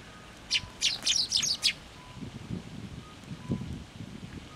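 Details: Sparrow chicks and parents flying in for food set out on a post at a Tenmangu shrine, 11 June 2024: a rapid burst of about six sharp high chirps over a second, then low rustling and outdoor background.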